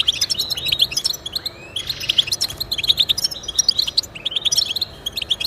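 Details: Lively European goldfinch song for motivating pet birds to sing: quick liquid chirps and jingling trills in close sequence, with one drawn-out rising whistle near the middle.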